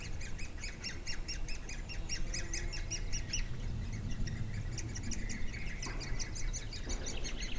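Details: Woodpeckers bringing food to their chicks in Durmitor National Park, 6 June 2017: busy, rapid squeaky notes that fade briefly midway, then resume, with a low rumbling background and a short knock-like sound.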